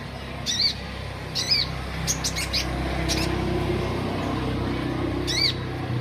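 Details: Olive-backed sunbird giving high, looping chirps, two about a second apart and another a few seconds later, with brief dry clicks between and a low hum behind.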